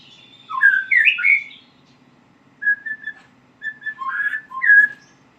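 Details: White-rumped shama practising its song: a swooping whistled phrase, then a pause and short clipped whistles building into slurred notes, with a faint continuous high tone at the start and a low background hum.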